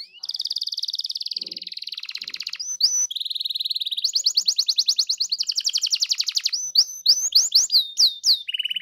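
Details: Canary singing, as heard in a recording meant to prompt a canary to answer: long unbroken rolling trills, one buzzy and steady, one faster and pulsing, changing to a series of separate upslurred whistled notes near the end.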